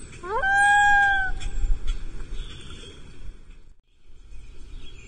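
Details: Common loon of a mating pair on Lake Vermilion, 14 July 2024, after the pair abandoned its island nest once bald eagles flew over: one clear, mournful note sliding upward then holding about a second, over low rumbling.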